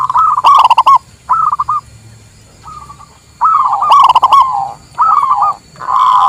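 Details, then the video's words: Local zebra dove song, recorded for luring wild doves and as a training master song: clear cooing phrases of rapid stuttering notes, each burst short and repeated with brief pauses, closing on a longer rolling coo. "Suara Perkutut Lokal Terbaru 2023"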